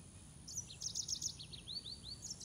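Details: Green singing finch song, also named Canario de Mozambique: a dense burst of rapid high chirps followed by a few sweeping slurred notes, cheerful and busy, over light background hiss.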